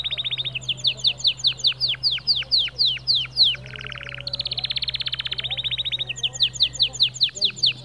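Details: White male canary singing to motivate other birds, a string of sharp downslurred whistles followed by a lower buzzy burst and long dense trills; a faint steady low hum runs beneath.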